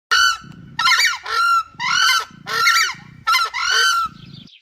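A screamer gives loud, harsh trumpeting honks, about five in quick succession, each followed by a low, throbbing grunt.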